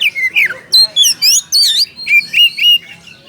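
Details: Oriental magpie-robin calling a rival with a series of loud, distinct whistled notes, each sweeping in pitch, about eight in three seconds.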